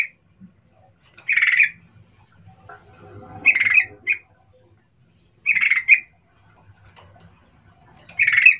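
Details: Sooty-headed bulbul calling in the lively 'cuk cuk' manner used as a lure for others: short, rough, squawky bursts repeated roughly every two seconds, with faint low background noise between them.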